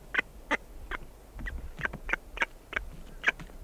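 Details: Close recording of a female blue-footed booby walking around her nest site: short, hoarse honking notes repeated irregularly every third of a second or so over a low rumbling background.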